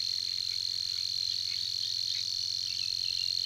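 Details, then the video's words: Savi's warbler at Tancat de l'Illa giving its persistent song: an unbroken, even, buzzy reel held at one high pitch for the whole stretch, with faint brief chirps from other birds underneath. "BUSCARLA UNICOLOR en el Tancat de l'Illa - Parte 2 | 🎵 CANTOS DE AVES"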